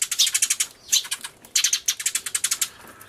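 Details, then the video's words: Eurasian tree sparrows in a loud commotion, recorded 24 March 2013 on a camcorder alongside a turtledove: rapid, dense bursts of high chirps stacked almost continuously, with a brief pause near one second before the racket resumes. "スズメの鳴き声（大騒ぎ！音量注意） Crying Sparrows (Beware of loud volume because they're crying so hard!)"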